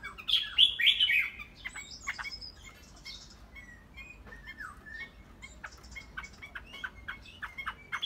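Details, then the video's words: Caged Chinese hwamei opening with loud ringing warbled notes, then a long run of quieter chips, short whistles and clicks at a quick, uneven pace. "Chim Họa Mi cb2231 đẹp thuần"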